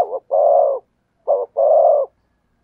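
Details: Loud, close spotted dove song in the "thổ sấm" voice. A short coo runs into a long, full croon, repeated twice with about half a second between phrases.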